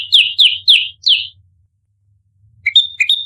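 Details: Bar-winged prinia in a fighting bout, used as a lure sound: four loud, downward-slurred chirps in quick succession, then silence, then a pair of thinner two-part notes, each a short lower note followed by a clear whistle.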